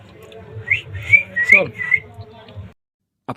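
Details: Talking rose-ringed parakeet, a rescued ringneck in Bangladesh, imitating human words: four squeaky, high-pitched syllables run together in a brief phrase over a low background hum, then silence and a short click.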